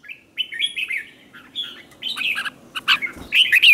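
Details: Red-whiskered bulbul, being trained for contests, singing in the morning: a steady string of chattering, warbled notes, building into louder bright whistled phrases toward the end.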